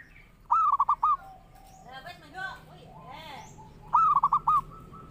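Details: Zebra dove song for luring or training other birds: two loud phrases of rapid, rolling coos about three seconds apart, with softer background chatter and other bird notes in between.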